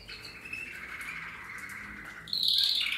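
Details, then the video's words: Mosaic canaries from a breeding aviary, recorded 15 November 2024. A sustained tonal trill is held for about two seconds, then ends in a louder, buzzier, higher-pitched rolling phrase. "Kanarienvögel Mosaik"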